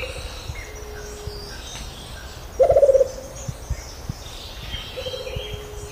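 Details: Rufous-capped motmot, known in Brazil as juruva, singing: a brief low, hollow, rapid trill of about eight notes near mid-clip, with soft low hoots before and after over a noisy forest background.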